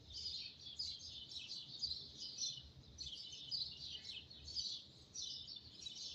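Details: Dawn bird chorus at 5 in the morning, many high twittering chirps and trills running together without pause, with a steady low rumble underneath.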